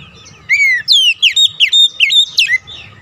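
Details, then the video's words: Oriental magpie-robin singing a stimulating lure song for stressed birds that fell silent; about eight clear, slurred whistles in quick succession, rising and falling, with low background hum. "KICAUAN PEMIKAT DAN PERANGSANG BUNYI | Kacer stres macet bunyi langsung gacor"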